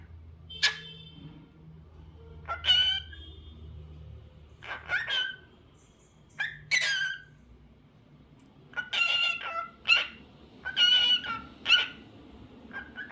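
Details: Cockatiel giving scattered bursts of harsh, buzzy chirps and whistled notes, some clusters repeated in quick succession, with quiet gaps between bursts and low background hum.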